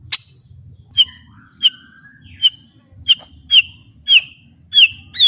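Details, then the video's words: Powerful white-rumped shama song, beak wide open: crisp, loud, high downslurred whistles repeated about every half second to second, with one lower slurred note, over a faint low hum. "ISIAN MURAI BATU GANAS❗TEMBAKAN MURAI BATU BUKA PARUH VOLUME PENUH POWER💥 SHAMA BIRD"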